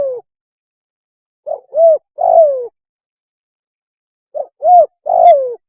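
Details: Spotted dove mating call used as a hunting lure: soft mellow coos, each phrase a quick short note or two then a longer falling coo, two phrases separated by a pause, clean background.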